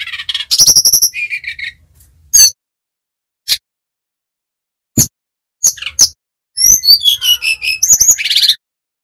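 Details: Brown-chested jungle flycatcher of Bali origin: a burst of high chirps and whistles, scattered sharp clicks and single notes with gaps, then a fast closing run of high slurred whistles ending in a rough note.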